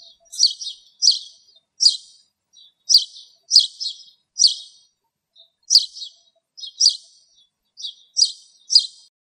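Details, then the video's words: Chirping of a Spanish sparrow recorded in the Greek countryside where it sat in a bramble: clipped, scratchy high chirps in pairs and singles, spaced irregularly with brief gaps, no other sounds. "Χωραφοσπουργίτης - Spanish Sparrow"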